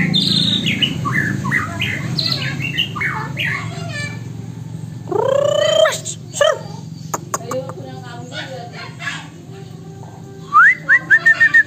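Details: Caged magpie robin singing a song filled with mimicked phrases of Poksay Hongkong and Wambi birds: varied whistled, sliding notes and short chirpy bursts, a louder rising-and-falling phrase midway, ending in quick repeated whistles, over a steady low hum.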